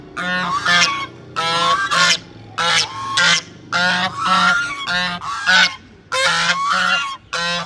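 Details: A pair of ducks, calling as soon as they saw a person approach, give loud, harsh, nasal quacks, often in quick pairs, roughly one burst every second, over a faint low hum.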